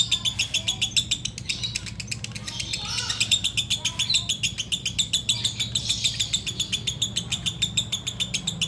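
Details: Sooty-headed bulbul giving ngekek: steady rapid bursts of harsh, high, clicking notes, roughly three each second, with a brief lower warble near the middle and a soft background hum.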